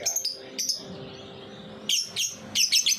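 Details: Lovebird singing in the ngetik style, used as a lure to get young lovebirds singing: short bursts of high, dense chirps, one early pair and then a busier cluster near the end, over a faint steady hum.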